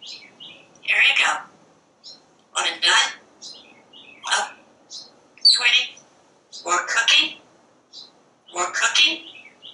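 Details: Parrot chattering from a screened back porch while watching squirrels and birds, with loud speech-like phrases about every two seconds broken by short high whistles and chirps.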